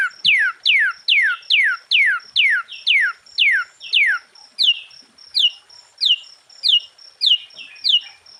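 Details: Sooty-headed bulbul singing vigorously, used to provoke other bulbuls: a fast series of bright notes sweeping downward, about two per second, over a steady high thin tone.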